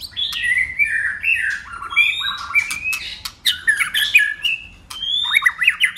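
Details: Shama singing a fight song with many voices and constant voice changes: a rapid series of clear descending and level whistles, mixed with sharp clicks and a final burst of jumbled rising notes.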